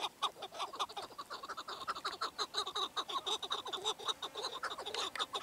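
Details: Chukar partridge giving a rapid run of clucking notes, roughly two per second, each with ringing upper harmonics, several overlapping in an uneven chorus.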